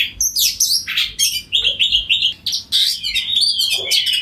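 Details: Kacer, the oriental magpie-robin, singing loudly in 'ngeplong' style to draw an answer from another bird; varied whistles, a run of four repeated short notes, then a long wavering whistled phrase.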